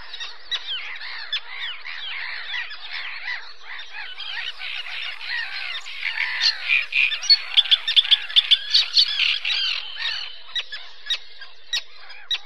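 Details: Great reed warbler song from the castle pond at Chropyně, 18 May 2017, Nikon Coolpix P900: a long run of harsh, creaky, chattering notes that grows louder and denser midway, about two or three notes per second.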